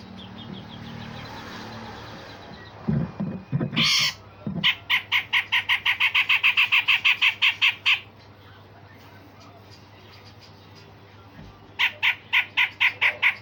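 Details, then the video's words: Grey-cheeked bulbul 'besetan kasar' and 'tembakan tajam' song, used to train other songbirds: some low knocking, then a long run of about twenty harsh rhythmic notes, a pause, and a further series of about eight. "Cucak jenggot Besetan Kasar dan Tembakan Tajam"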